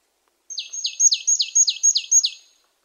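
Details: Marsh tit calling: a quick run of seven high, downslurred notes, each sliding sharply from a thin high tick to a lower buzzy tail, delivered evenly over about two seconds in a quiet setting.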